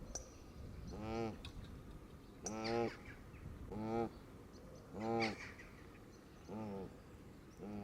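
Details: Canada geese in a flock feeding on green grass at the water's edge, all around a camera left running on the ground: five loud, nasal honks at steady intervals about every one to two seconds, over a low outdoor rumble.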